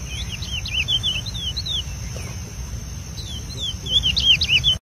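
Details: Wild chestnut-bellied seed finch singing in the bush in preseiro style: two bursts of quick, sweet, looping whistled notes, the second rising in volume, over a steady insect hiss and low background rumble.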